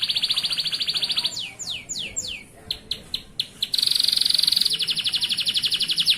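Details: Local male canary in full song for tutoring young birds: a steady high rattling trill, a few falling whistles, sharp clicking notes, then loud brilliant trills repeated rapidly.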